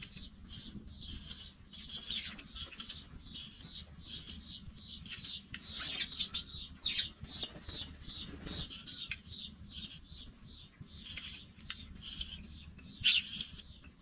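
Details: Baby pipits leaving the nest give a steady run of short, scratchy, high-pitched hissing notes, about two per second, with a few louder, more strident bursts near the end.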